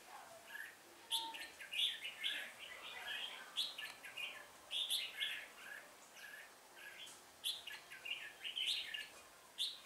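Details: Red-whiskered bulbul recorded during a trapping session on 1 October 2018, with bird song used to lure wild birds. Lively, fast phrases of bright warbled and whistled notes come in clustered bursts almost continuously, with a steady high hiss behind them.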